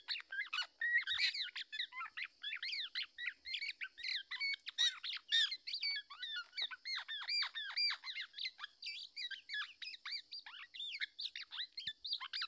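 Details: Black-naped oriole parent protecting its young from an attacking male. A dense, continuous stream of squawky, chattering notes overlaps for over twelve seconds, with a constant high-pitched hum behind.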